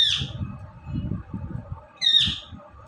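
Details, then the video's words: Pet Indian ringneck parrot calling: two sharp, grating squawks, one at the start and another about two seconds later, over a steady background of low human chatter. "Ringneck Parrot Talking & Dancing"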